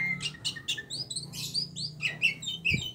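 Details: An Oriental magpie-robin of the Aceh type gives quick, high chirps and short sweet whistles in a varied jumble over a low, steady hum.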